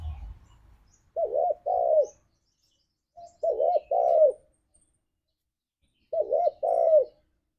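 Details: Spotted dove singing in the lively 'ngalas' style used to lure pet doves into song: three phrases, each a quick double-looped coo followed by a longer falling coo, repeated about every two and a half seconds.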